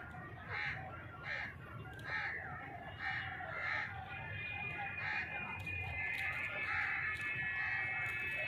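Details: Grey francolin, known locally as dhakni teetar, giving a series of harsh, ringing notes repeated roughly every three-quarters of a second, followed by a steady high tonal band with scattered clicks over low background rumble.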